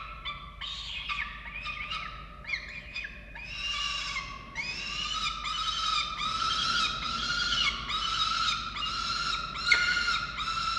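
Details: Falcons at a nest in Orange, Australia, on 13 November 2022, calling while the chicks are fed: a rapid run of harsh, harmonic, wailing notes that grow steadily louder and denser, with a faint background hiss.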